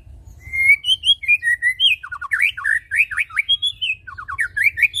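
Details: White-rumped shama song used as a lure to make other birds sing persistently: varied clear whistled phrases, some slurred and some sharply rising or falling, delivered in a rapid, continuous run of notes with no other sounds.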